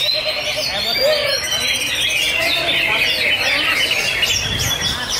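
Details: A male greater green leafbird, a post-moult contest winner at a songbird competition, sings a rich, fast, continuous stream of varied whistles, chirps and slurred notes, with faint voices behind it.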